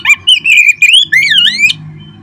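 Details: Oriental magpie-robin song played to spur caged birds into singing: a continuous run of rich, slurred whistles rising and falling, ending in a sharp high note, over a faint low hum.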